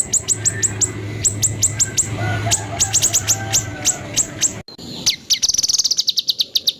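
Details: White-rumped shama harsh 'tembakan kasar' phrases for training songbirds. Rapid high clicking notes come in bursts over a low hum, then a splice into a fast, accelerating rattle with a buzzy whistle.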